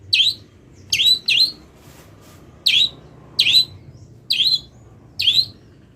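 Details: Moulting long-tailed shrike, impatient to sing, giving imitation-filled masteran song: seven rough squawks with a hooked, rising end, spaced irregularly, over a low background hum.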